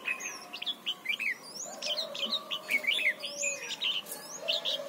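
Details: Red-whiskered bulbul in Thailand, a training song for young birds: a quieter, busy stream of short bright whistled and slurred notes with barely any pauses, over a steady low background hum.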